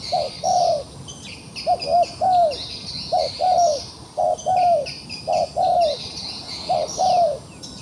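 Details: Wild pigeon trapped and still fighting, cooing steadily in paired and tripled low notes, the last of each group longer and falling, phrase after phrase, over a constant shrill insect background.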